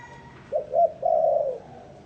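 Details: Spotted dove cooing: a short two-part low hooted phrase, a brief note then a longer rounded coo that falls away at the end, against quiet background hiss.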